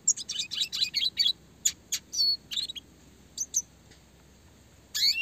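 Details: Red siskin rolling and shooting at speed, clear classic song: a rapid burst of bright high twitters, then scattered sharp chirps, ending on a loud rising sweep.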